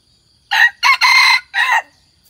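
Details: Hybrid red junglefowl, one year old, white-earlobed, delivering a single crow of four harsh segments, short, short, long, then a final falling note, clearly recorded with little else heard.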